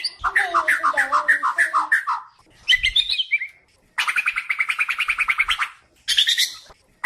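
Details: White-crowned shama song for teaching other birds: a rolling series of repeated looping notes, a short chattering burst, a long rapid buzzy trill, and a final harsh phrase.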